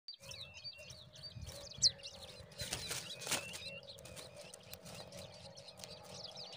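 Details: Zitting cisticola at the nest as a parent feeds a huge mantis to newborn chicks; thin high chirps come in a quick string early on, over a steady low hum and rustling handling noise.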